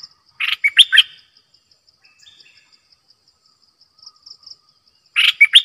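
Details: Caged decoy bulbul singing: a short burst of rich, bubbly, warbling notes near the start, then a quiet pause and a second bright phrase at the end, over a steady pulsing insect-like trill.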